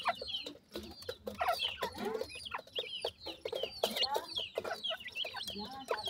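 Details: Grey francolin family, chicks feeding: busy high peeping chirps, some rising then falling, tumble over one another amid muffled clucks and many short dry clicks.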